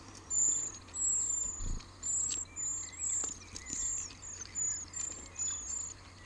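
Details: Eurasian treecreeper at a nest deep in a cypress cleft in a central Wales garden, with parents feeding nestlings: very high, thin, hissing calls, about two a second in quick runs, over a soft low background rumble.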